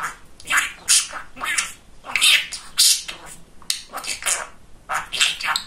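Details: Pet budgerigar, a chatty, funny male, talking indoors. Lively bursts of hissing, word-like syllables, some almost meow-like, in short phrases with brief pauses.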